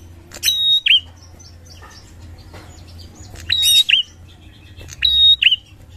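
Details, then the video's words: Bar-winged prinia lure song: three loud phrases, each a harsh onset, a level ringing whistle and a short dropping twang, repeated about every two seconds over quiet high twittering. "Prenjak gacor ngalun"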